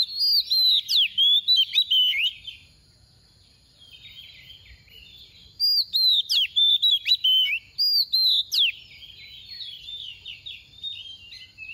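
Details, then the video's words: Oriental Magpie-Robin, possibly a female, singing bursts of sweet, varied whistles with sharp chirps and slurred notes in phrases of about two seconds, separated by short quiet gaps. "Choè than mồi mềm hót tìu tíu tiu"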